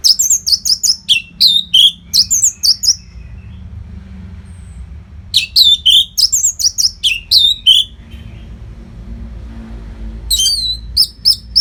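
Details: Orange-headed thrush singing continuously as a training tutor for competition birds: dense runs of quick high chirps and downward whistles in long bursts, a short quiet break with faint low rumble, then the song resumes.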